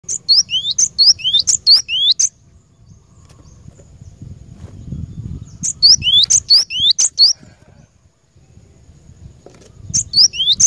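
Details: Cinereous tit, a wild-caught bird used for training caged birds, singing bursts of high, sharp rising notes in repeated phrases, with pauses and low background rumble between.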